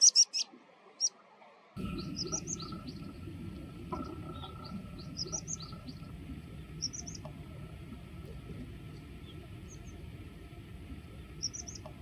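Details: A Water pipit gives a few thin, high, sharp calls in the first second, likely its everyday call given on taking flight, then fainter similar calls over a steady rushing background.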